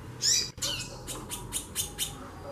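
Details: Female White-bellied seedeater calling persistently, with a buzzy descending opening note followed by a brisk series of six short sharp chips, evenly spaced and slowly fading.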